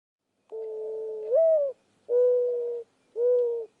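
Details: A Mourning Dove in a Central Texas backyard gives its soft, mournful cooing: a long hollow coo that lifts briefly at the end, then two steady lower coos, with nothing else heard.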